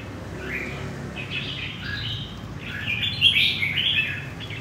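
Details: Wild-caught red-whiskered bulbul of central Vietnam giving soft slurred phrases that build into a louder, rapid bubbling warble near the end, against a constant low background drone.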